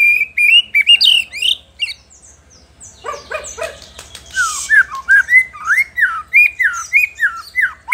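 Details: White-rumped shama singing to provoke rival shamas: rapid rising whistles, a short pause, then a burst of harsh noise and a long series of quick, falling slurred whistles repeated almost three per second.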